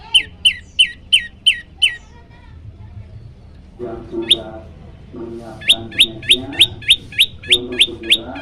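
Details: Yellow-bellied prinia repeating sharp rising chips in fast steady runs, a master song meant to stir up other birds; lower murmuring voices and other sounds fill the middle, then the chipping resumes over them.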